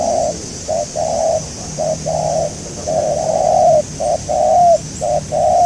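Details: Spotted dove heard during a session to catch a local wild dove. Mellow, even coos run in a broken series, with short notes and drawn-out phrases alternating over a soft background hiss.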